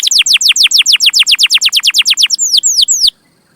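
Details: Singing canary, a recording meant for training young canaries. A steady string of about twenty sharp, falling whistled notes in quick succession, then three slower, drawn-out downward slurs before silence.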